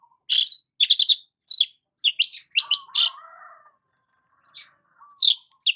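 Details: A long-tailed shrike sunning itself in the morning delivers scratchy high chirps and chatters in uneven groups, then a lower wavering warble, a pause, and more sharp notes.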